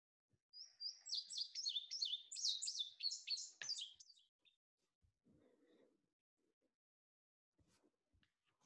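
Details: Indigo bunting song during spring migration, phrased in pairs like "fire fire, where where, see it see it": a rapid run of high, sweet paired notes over about four seconds ending in a little trill, then faint low sounds.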